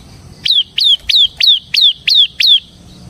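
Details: Bar-winged prinia of the ciblek semi type, ngebren singing meant to lure and train other ciblek. Seven high, sharply downslurred chips evenly spaced about three per second, over a quiet low background.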